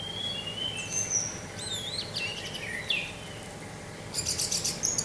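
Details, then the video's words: Orange-headed thrush singing teler style with wind sound behind: a run of varied high whistled phrases, looping and sliding notes, ending in a burst of rapid sharp chips over steady low wind-like noise. "suara angin dengan suara anis merah teler"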